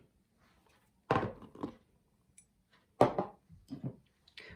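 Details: Indoor room sounds: a few dull thumps and knocks with brief soft voices between quiet pauses, and no animal calls.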